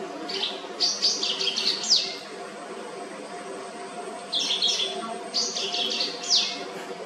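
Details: A white-browed wagtail gives two bursts of rhythmic song, each a quick series of sharp, high chirps ending in a downslurred note, separated by a pause of about two seconds, over faint hum.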